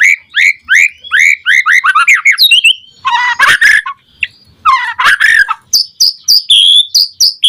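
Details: White-rumped shama singing vigorously as a lure to make other shamas respond: rapid series of bright, varied whistles, a harsh scratchy rattling passage, then clear high whistled notes given in quick succession.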